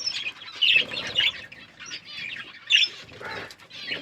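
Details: Budgerigars eating food and chirping, giving scattered high warbling chirps and short chattering bursts with quiet gaps between them and soft rustling underneath.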